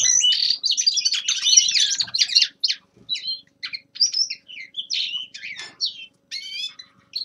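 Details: Young male common linnet in winter warm-up song: an opening burst of fast, dense twittering, then looser phrases of short chirps and nasal twangs spaced by brief pauses, with a faint background hum.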